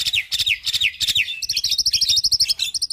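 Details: Vocal hybrid starling from a Nias hill myna and Asian pied starling pairing, captive, delivering a fill-in phrase: very high, scratchy trilled notes, then a fast even series of thin buzzing chips.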